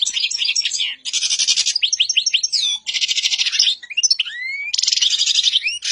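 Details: Song of a black-headed goldfinch, alternating tinkling twittered phrases with loud rasping buzzes, separated by short runs of rising slurred notes and one clear upward-sliding whistle.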